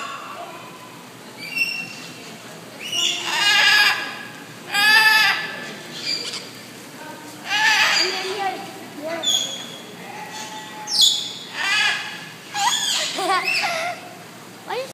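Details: A cockatoo at a zoo gives harsh, raspy squawks and bleat-like, almost voice-like calls in bursts every second or two, some long and wavering.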